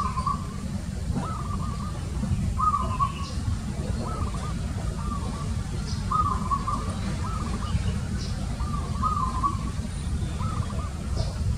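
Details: Zebra dove calling: short, purring, trilled cooing phrases repeated steadily, about one per second, over a constant low rumble with faint high ticks.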